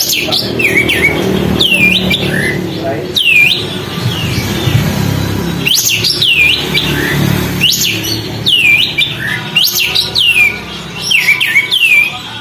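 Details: Sooty-headed bulbul singing steadily while spreading its tail, used to provoke other birds. Bright whistled notes with sharp downswept hooks recur every second or two over a steady background rumble.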